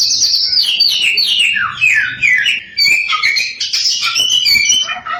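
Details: Samyong, a tireless and varied singer, used as a lure for other samyong: cascading descending whistles blending into busy high chatter and short twittering phrases.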